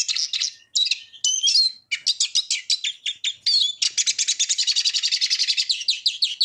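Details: Eurasian siskin delivering a busy twittering song that ends in a long, even rattling trill of rapid buzzy notes, high-pitched and close.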